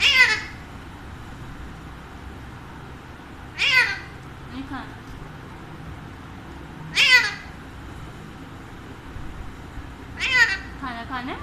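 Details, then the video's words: Pet Alexandrine parakeet kept at home, giving four loud, harsh, rasping screeches spaced about three to four seconds apart, with quieter short notes between them and a low steady room hum. "Chatty Alexander Parrot Talking"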